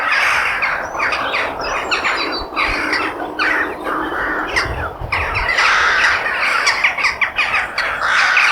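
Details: Crows in nature, a noisy gathering of raucous caws and squawks rising and falling in waves, with some low rumble around the middle.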